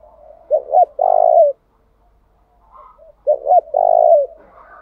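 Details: Decoy spotted dove in the 'thúc gù' cooing style, changing patterns to draw wild doves: two strong phrases roughly three seconds apart, each a short double note then a sustained, vibrating coo, with faint murmurs between.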